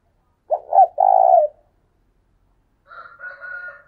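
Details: Spotted dove decoy bird calling in the thúc sung style: one deep three-part coo, two short notes then a longer hummed note. After a pause comes a fainter, higher, drawn-out tone with a lower humming band beneath.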